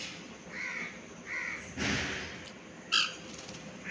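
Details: Pet cockatiels practising flight give a few rasping, arched calls over a noisy, rushing background, ending in one sharp, louder squawk.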